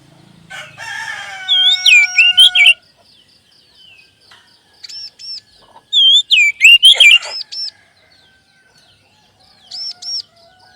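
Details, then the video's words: Oriental magpie-robin lure song for adult and juvenile caged birds: three bursts of rapid whistled phrases with looping arched notes and sliding tones, separated by quiet gaps, the last burst short and softer. "SUARA PANCINGAN BURUNG KACER AGAR CEPAT BUNYI DAN GACOR"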